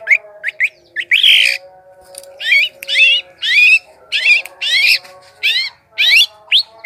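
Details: Long-tailed shrike song used as a lure to attract wild birds: loud, harsh, buzzy notes in short bursts, several rising and falling sweeps repeated roughly every half second, with a faint steady low hum behind.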